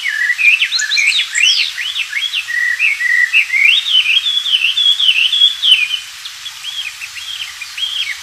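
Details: Energetic song of a wild Oriental magpie-robin, recorded to train white-rumped shamas: rapid looping whistled notes and warbles strung together, then a softer stretch of swooping whistles near the end.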